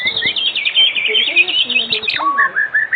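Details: A white-rumped shama sings loudly in an afternoon lure track used to make other shamas respond: a fast rattling series of high trilled notes, then a drop into a few clear, sliding whistles.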